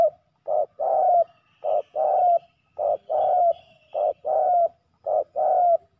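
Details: Fighting male spotted doves at a ground decoy spot: regular paired coos, each a quick low note then a longer mellow note sliding down, five pairs about one second apart, with a faint higher chirp in the background.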